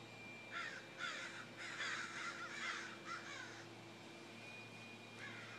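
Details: Loud, hoarse crow caws come in uneven bursts of two to four, the middle group the longest and most grating, then fade to a single distant call near the end over a faint steady hum.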